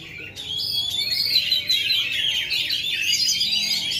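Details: Caged, ringed Oriental magpie-robin from Indonesia that has failed to moult for two and a half years, singing at full power: a loud, dense, unbroken run of varied whistles, trills and chattering notes, quick and tumbling, with no pauses.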